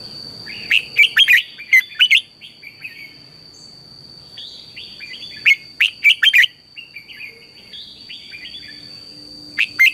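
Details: Caged red-whiskered bulbul used as a decoy singer for training other birds in morning song, delivering repeated bursts of loud, sharp, warbling whistles separated by quieter slurred notes, with a constant thin high tone underneath.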